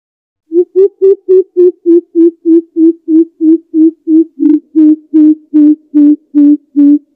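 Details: Greater coucal (Centropus sinensis) used as a decoy call to draw in its flock: a long, even run of about twenty deep, hollow hoots, roughly three a second and steady in pitch. Nothing else is heard.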